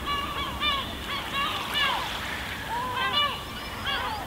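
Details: Gulls on a pebble beach at Elba, Italy, give a string of falling, slurred cries and laughing chatter, a few overlapping, with gentle sea wash behind.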